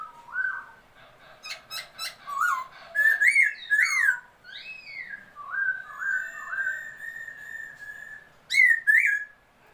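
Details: Black-throated laughingthrush, described as a new bird, recorded 27 February 2022, singing loud, varied whistled phrases of slurred rising and falling notes, with brief sharp high accents and short pauses between phrases.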